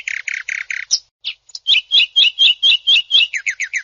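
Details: Greater green leafbird, offered as a training model for contest birds, delivering rapid buzzy notes followed by a steady run of loud, sharp whistled phrases repeated evenly, each with a bending pitch.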